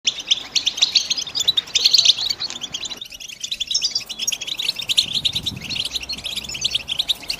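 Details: European goldfinch song in the style known as batbata: a dense, continuous stream of rapid, liquid twittering notes, high-pitched and tinkling, with a brief drop in background hiss around the third second.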